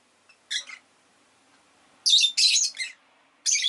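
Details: Harsh, high, raspy chirps from a rosy-faced lovebird, a short pair and then a longer run of buzzy notes, with faint low background hum.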